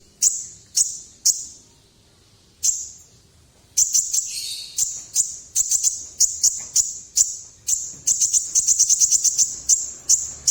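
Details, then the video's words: Sunbird singing in a performance-style delivery: very high, sharp, ringing notes near the top of hearing, given singly at first then in rapid repeated bursts and stuttering trills, with one brief buzzy rasp. "Burung Kolibri Ninja Top Perform full suara nekan"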